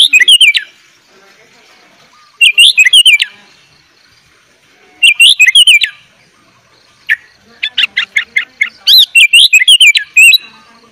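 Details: Sooty-headed bulbul giving full isian song, suited to tutoring young bulbuls: short bursts of bubbling, wavering whistled notes every couple of seconds, then a longer mix of quick chirps and looping phrases near the end.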